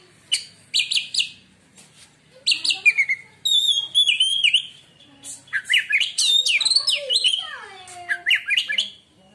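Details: Song of a kept white-rumped shama said to make rival shamas fall quiet: clusters of sharp ticking notes, then loud looping whistles sliding down and up, and drawn-out descending slurs, delivered in busy bursts.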